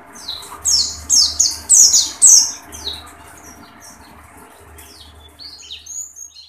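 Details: Oriental white-eye, a caged bird singing with its beak open: high, sharp, descending whistled phrases in a quick burst of about five notes, then softer thin chirps, over a low steady hum.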